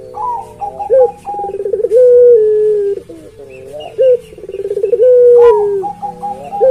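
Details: Repeated coos from a puter pelung dove, each a short note, a throbbing roll and a long level tone falling at the end, with faint higher chirps in the background.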